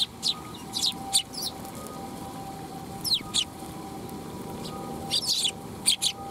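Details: Sparrows of the Eurasian tree species flocking to be fed at a Tenmangu shrine on 12 July 2021; clusters of quick high chirps from multiple birds, with a low steady tone underneath.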